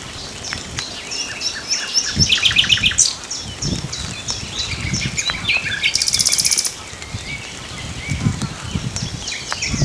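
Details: Song of a common nightingale: a string of rapidly repeated notes, a bright whistle, then a dense high buzzing trill lasting under a second. Brief twittering phrases follow against faint low background noise.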